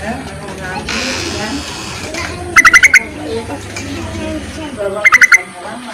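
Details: Yellow-vented bulbul call used to draw in males and as a lure: two short bursts of fast chattering notes about two and a half seconds apart, over a busy background of voices and noise.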